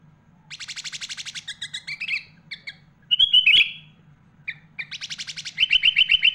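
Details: Sooty-headed bulbul in full song, packed with imitated phrases of other birds, used as a master recording for training young and adult bulbuls; rapid chirp trains alternate with buzzy slurred notes and a final run of quick repeated whistles, over a steady low hum.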